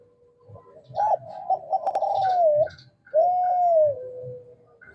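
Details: Male spotted dove from Kelantan in full voice, used to lure lazy doves into calling; mellow cooing phrases, a rolling coo followed by a long smooth drawn-out note that slides down, soft clicks between.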